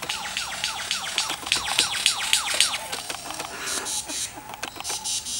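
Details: Lyrebird, a mimic, giving a fast series of loud, sharply falling whistles, about four each second, then a run of higher, noisier, scratchy notes.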